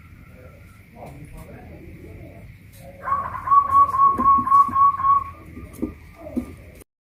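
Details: Local Pajajaran zebra dove, caged on a hoisting pole in Kuningan, West Java, sings a clear two-second run of evenly spaced, bubbling coo notes amid faint background murmur.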